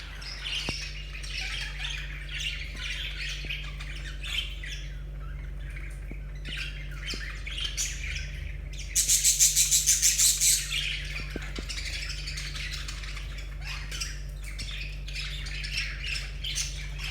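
Budgerigars chatter in quick, scratchy warbles and chirps during courtship, with a steady low hum behind.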